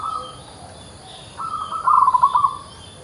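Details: Local-type zebra dove singing vigorously: a soft tone near the start, then a rising cooing phrase of rapid, bubbly staccato notes ending in a short sustained coo, against a steady faint hiss.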